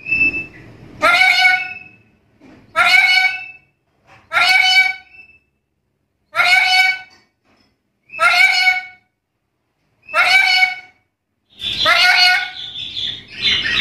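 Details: Black-capped lory in loud challenging mood toward rivals: a series of seven harsh, nasal, strongly harmonic squawks repeated about every one and a half seconds, the last one rougher and longer, with faint background noise.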